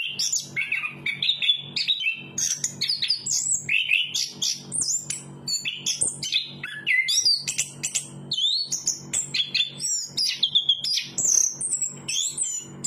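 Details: Long continuous song of a chestnut-capped thrush: a rich, varied stream of sharp whistled and chattering notes that jump between pitches with almost no break, against a soft low background hum.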